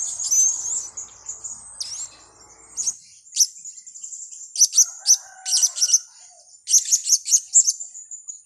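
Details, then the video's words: Blue-crowned hanging parrot calls from a trapping lure recording: sharp, very high-pitched tsit notes in quick clusters of two to four, separated by brief pauses, over a thin continuous high whine, with soft lower chatter early on. "Pelapis pikat"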